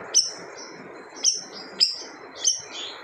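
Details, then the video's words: Siri-siri bird delivering its forceful song, claimed to silence other birds: four shrill, high, down-slurred notes with thin trailing whistles, separated by gaps of about half a second, over steady faint hiss. "SIRI-SIRI GACOR TEMBAKAN SADIS BIKIN BURUNG LAIN DIAM"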